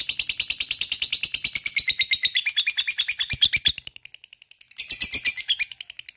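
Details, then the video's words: Lovebird singing a long ngekek song, played to provoke other lovebirds to answer: rapid chattering notes about three per second, harsh and high, running continuously with a brief softer dip before resuming. "gacor rajin ngekek panjang"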